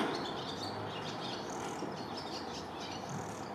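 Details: Swallow chatter of quick, high chirps repeated irregularly throughout, several notes bunched together, against a continuous hiss of environmental noise.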